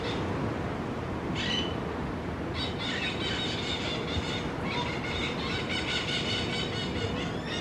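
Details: Crimson-fronted parakeets: one short screech early on, then from about the third second a dense run of overlapping raspy, squealing calls over steady low background noise.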